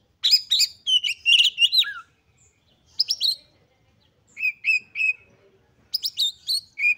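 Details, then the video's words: Oriental magpie-robin singing with high excitement to stir other magpie-robins: a fast jumble of whistles ending in a lower slurred note, then short phrases, three repeated level whistles and a final burst of high chips. "KACER GACOR FULL EMOSI TINGGI// JOSS UNTUK MENDONGKRAK KACER LAIN AGAR CEPAT EMOSI DAN GACOR FIGHTER"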